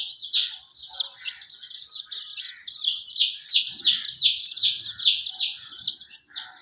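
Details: Chicks of a hen chirp loudly and continuously, giving a busy string of piercing downward-slurred peeps, with many birds calling over one another and almost no background noise.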